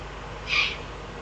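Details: Eurasian eagle-owl in the Eifel, 22 June 2012, giving a single harsh, breathy hiss lasting about a third of a second that swells and fades against constant low rumble.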